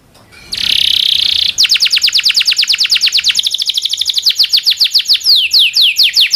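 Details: Domestic canary song used as a master recording for training canaries: a dense buzzy trill, then long rapid rolls of downward-sweeping high whistled notes, several per second, shifting pace and pitch, ending in slower descending sweeps.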